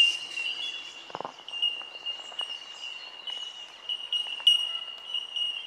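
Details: Bell miners (bellbirds) at Benarkin in south-east Queensland keep up a continuous high ringing of pinging notes, individual tinks standing out now and then, with a brief low thump or rustle near the start.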